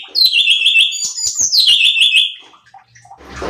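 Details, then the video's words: Bulbul known locally as cucak cungkok, singing on a training recording meant to rile other birds: fast, bright chattering phrases of repeated whistled notes, some sliding down, lasting over two seconds before rustling noise. "Pancingan Cucak Cungkok Malas Bunyi | Bikin Emosi Burung Lain"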